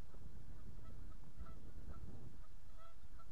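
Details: Geese active on a pond on the morning of 31 March 2014, around 8:44, giving short nasal honks repeated several times at a steady mid pitch over a heavy, constant low rumble of wind.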